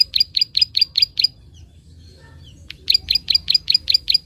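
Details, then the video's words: Prinia 'klik' call for stimulating young birds: a burst of about seven sharp high clicks, over a second of near silence, then another equal burst of clicks. "Prenjak Klik gacor ampuh merangsang burung bahan"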